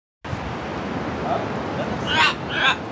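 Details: Macaws at Playa Tambor, Costa Rica: two harsh, raspy macaw squawks come close together near the end, over steady wind and surf noise.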